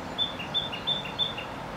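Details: A Narcissus Flycatcher singing in a tree in Gifu Prefecture, Japan, in May 2024 gives a quick, clear two-note whistled phrase, high then slightly lower, repeated four times about three times a second, over faint background hiss.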